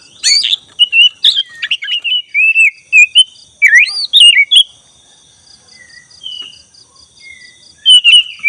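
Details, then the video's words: Black-breasted Oriental magpie-robin singing continuously as a lure for training caged birds: a loud, varied run of whistled slurs, rising and falling notes, then a pause with soft whistles, over a steady pulsing tone in the background. "PANCINGAN khas suara BURUNG KACER dada hitam gacor,makin malam semakin gacorr"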